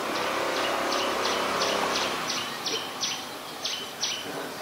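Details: Adult common tailorbird, a common resident, in Ubon Ratchathani, Thailand, on 2 March 2023: sharp, high, downward-flicking notes repeated at a quick, steady pace, about thirteen in under five seconds, over a constant low background hum.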